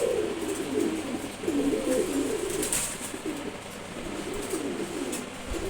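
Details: A Maxi Racer pigeon chick, about a month old, makes a string of low, burbling coos. The phrases come in quick, uneven pulses and fade toward the end over constant room hiss.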